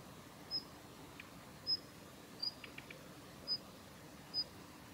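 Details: Female Daurian redstart giving its ground call at the Kita-Fuji training area, Japan, on 7 November 2021: thin, high whistled notes spaced about a second apart, five in all, with a few soft dry clicks in between.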